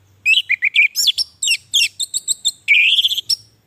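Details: Lively orange-headed thrush song played as therapy for captive birds that are stuck or reluctant to sing: rapid varied whistles, down-slurred chirps and short ringing notes. It closes with a sustained rising warble.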